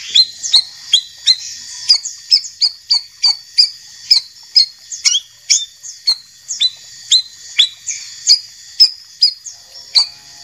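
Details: White-rumped shama, training recording of a champion and a young spotted-plumage bird: crisp clicking upswept notes repeated about twice a second throughout, with occasional softer whistled fragments between them.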